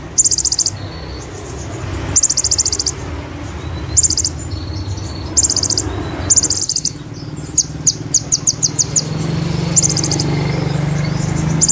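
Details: Olive-backed sunbird (kolibri ninja) in full shooting song copying cililin and ciblek. Repeated shrill, rapid high trill bursts alternate with a series of quick ticking notes, over a low hum that grows louder toward the end.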